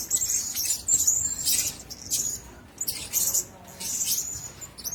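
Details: Blue-crowned hanging parrots kept together in one cage give thin, very high-pitched calls and short sharp chips, mixed with bursts of broadband rustling and fluttering.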